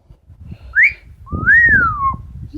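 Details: A female pet Amazon parrot indoors at night gives a short rising whistle, then a longer, clear whistle that arches up and slides back down. Faint room noise sits underneath.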